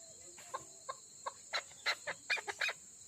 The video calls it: chakor female ki awaaz